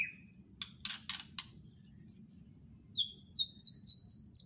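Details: White-rumped shama: a brief whistle and a few scratchy notes, a pause, then a run of rapid high, clear repeated notes speeding up, quiet and somewhat distant over a faint low hum.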